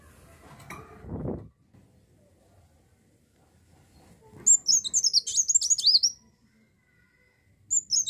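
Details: A dull thump at the start, then after a pause one run of high, rapid, swooping twitters lasting over a second; the 'gacor' song of an olive-backed sunbird, meant to prompt other birds to sing.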